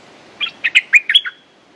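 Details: Streak-eared bulbul, a territorial male ready to fight, giving a short bubbly phrase of about six quick chirpy, warbled notes, closing with a slurred falling note, on a quiet background.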